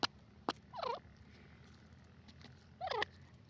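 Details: Grey francolin, known locally as teetar, gives two short, rough, twisting call notes about two seconds apart, with faint clicks and quiet background hiss between them.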